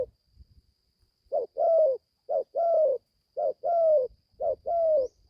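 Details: Spotted dove, a young caged bird just starting to call, taken to the forest for the first time for training in Gia Lai, Vietnam; four clear paired coos, a brief note followed by a drawn-out falling coo, evenly spaced in quiet surroundings.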